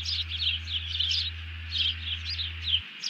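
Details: High-pitched, squeaky chattering from a bald eagle alerting after seizing a fish on 31 July 2020, as its partner drops down; notes run in quick, slightly descending bursts.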